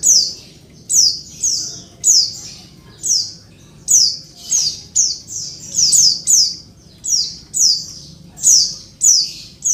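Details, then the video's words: Rapid, busy calling from a female Oriental white-eye used to stir males into song; piercing high downslurred chips repeated densely, frequently in twos and threes, with little gap, faint low hum behind. "suara pleci betina ribut bikin jantan langsung ngalas"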